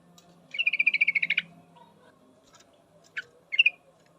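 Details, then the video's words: Calling female yellow-vented bulbul summoning a male: a rapid, slightly accelerating series of about thirteen bright notes, then a lone sharp chip and a quick doubled note. "suara trucukan betina full memanggil jantan pasti langsung pada nyaut"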